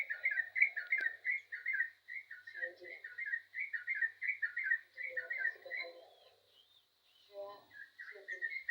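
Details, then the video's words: Yellow-vented bulbul singing in lively, full voice: a fast run of short, bubbly warbled notes repeated several times a second, briefly pausing then resuming, with softer lower chattering notes and a faint steady hum beneath. "burung trucukan gacor jos"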